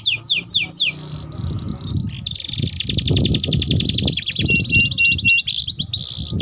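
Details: Long rolling canary song intended as a lure and for tutoring young canaries: three quick falling notes, a short pause, then extended fast pulsing rolls with a brief whistled note, over low rumbling noise.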